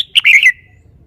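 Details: Short, loud phrase from a caged red-whiskered bulbul showing its song phrasing: a high note sliding into a rich, bubbling warble that fades within half a second.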